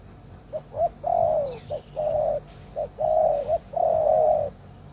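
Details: Veteran decoy spotted dove with a strong voice, used to trap wild doves, repeating a phrase of two short coos and a long coo that bends downward, three times in a row, over a low hum.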